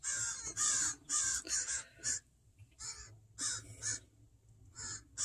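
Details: Two crows caw continuously at a person to protect their fledgling in a yard with pine trees; quick runs of harsh caws, somewhat distant, with a low steady hum beneath.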